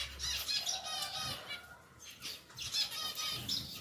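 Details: Pied zebra finch pair, caged, settling into a bigger enclosure, gives repeated short nasal calls amid a hissing, busy background.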